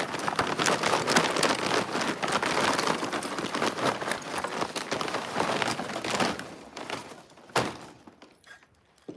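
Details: Indoor crinkling and rustling noises, dense at first and then thinning into scattered clicks, with no animal sound heard.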